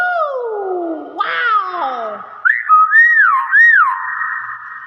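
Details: Common hill myna giving loud whistled notes: long falling slides, then a burst of rising and falling tonal whoops. A man's speech is heard around it.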